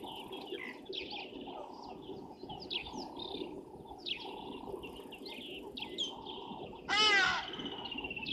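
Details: Grey go-away-birds at a waterhole on Djuma Game Reserve, Sabi Sand, South Africa, early morning of 28 January 2023; one loud nasal drawn-out call near the end after steady twittering from many other birds.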